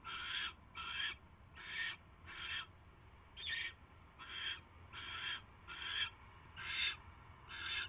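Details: At a barn owl nest late on the night of 22 January 2016, when a mouse is delivered, ten rasping, breathy screeches come at a rapid, uneven pace, roughly one per second, with a low background hum.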